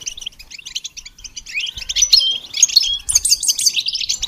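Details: Goldfinch singing as training stimulation: quick chirp series leading into rising buzzy phrases and clear whistled notes, finishing with a bright fast trill.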